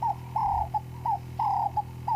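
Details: Cape turtle dove singing at sunrise on a safari drive: clear mid-pitched cooing phrases, each a short note, a longer drawn-out coo and a clipped note, repeated roughly once a second over a steady low engine hum.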